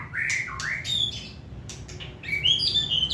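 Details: A caged white-rumped shama singing in hand: upward-slurred whistles and sharp chirps in a quick uneven phrase, with a sweet warbled flourish at the end.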